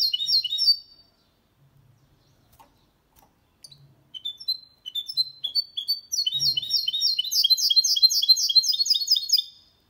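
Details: Hybrid of goldfinch and canary in clean 2022 song meant to stimulate males and teach chicks: a bright opening burst, several seconds of near silence with soft taps, then a quickening stream of repeated twittering notes.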